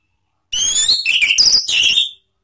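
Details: Orange-headed thrush song used as a lure for training cage birds, in the ngeplong style: a loud burst of clear whistled phrases and rich warbling notes over about one and a half seconds.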